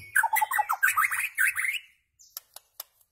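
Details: White-rumped shama singing as tutor material for goldfinches and hybrids: a dense burst of fluty, warbled notes for nearly two seconds, then a few faint sharp clicks.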